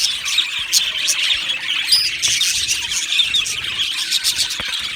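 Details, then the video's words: Budgerigars in a colony aviary, many birds chirping and singing at once; a steady high twittering mass with a few sharper squeals and clicks standing out above the chatter. "Beautiful Budgies Birds Singing and Chirping Sounds"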